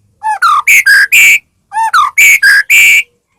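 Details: White-rumped shama song used to stir other shamas into singing: two matching phrases, each of four or five clear whistled notes stepping upward from low to high, separated by a brief pause.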